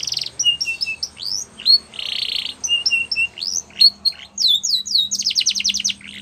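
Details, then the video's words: Belgian canary singing, used for training young canaries: a rapid varied song of high whistled notes, pure flat tones, buzzy rattling trills and fast repeated rising sweeps, all very high-pitched and loud, in a quiet indoor setting. "Belgian Canary Singing For Training"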